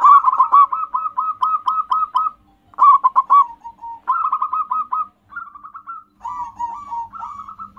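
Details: Local wild zebra doves, several answering each other, in a lure recording: loud phrases of quick cooing notes near one pitch, followed by softer rolling trilled runs, phrases repeating about every second or two with short pauses.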